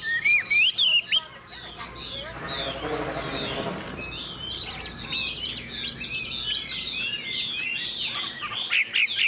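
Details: Morning song of a caged Chinese hwamei, kept for its fine voice and sunned after feeding: loud rapid whistles, a brief noisy burst, then a long run of quick, jumbled, high warbled notes.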